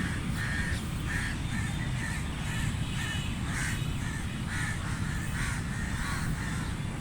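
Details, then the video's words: Rasping crow caws repeated at fairly even intervals, roughly twice a second, running through the whole stretch against constant deep background rumble. "Crow Sounds Loud | Crow Caw Sound Effect | Crow Sound Effect"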